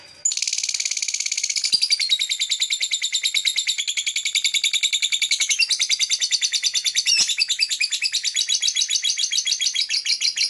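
A lovebird keeps up a shrill, rapid chatter of high chirps and squeaky twitters, several notes a second, with no pause and no other sounds.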